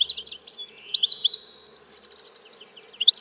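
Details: European goldfinch song fragment: a few sharp high chirps, a drawn-out slurred buzzy note, then scattered faint twitters before a final chirp.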